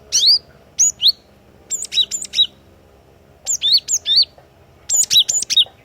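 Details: Javan cinereous tit (glatik watu), a wild-type lure singer in full voice. It gives short high whistled notes that sweep sharply downward, grouped in phrases of two to four, with pauses between phrases. There is a faint low hum underneath.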